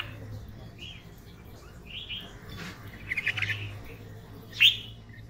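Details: Red-vented bulbul (Pycnonotus cafer), call.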